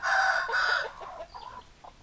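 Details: A rooster among hens gives two loud, drawn-out, strained notes, then a few softer, fading clucks trail after.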